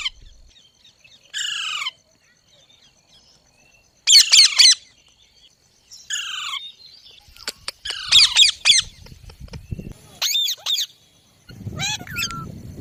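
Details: Loud green parrot said to be talking: a harsh descending screech, then clusters of rapid grating notes and a few sharp whistled squeaks, with brief rustling noise near the end.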